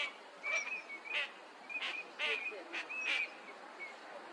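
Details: Eurasian teal wintering on a park pond in Chiba, Japan, February: clear, piping whistled notes, several overlapping in quick bursts, some with a brief rising-falling inflection.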